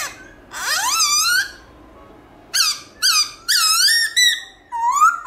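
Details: Black-throated laughingthrush giving forest-voice morning song with voice changes. Harsh, rising, screechy notes come in separate bursts, rich in overtones, with short pauses between them and a final upward-sliding note.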